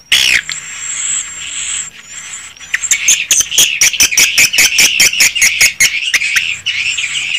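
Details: Swiftlets recorded in a swiftlet house: a loud harsh burst at the start, then high chatter, followed by a fast train of sharp dry clicks, several per second, over continuous twittering from many birds.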